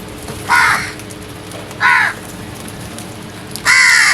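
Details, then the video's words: Loud crow calls in the early morning, three coarse, nasal caws spaced over a second apart, the last one longest and strongest, against faint steady hum. "Loud Noise made by Crows"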